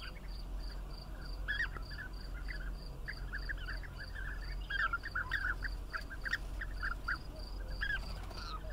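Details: Chattering bee-eaters produce many rolling, slightly burry chirps that grow denser in the middle, with a persistent pulsing insect drone high above and a low background hum.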